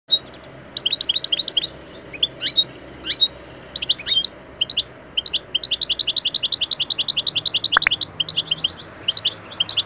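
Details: Pet European goldfinch singing a lesson song meant for other caged goldfinches: rapid high twittering phrases of short sharp notes, then a long run of evenly repeated chirps with a few buzzy slurred notes mixed in.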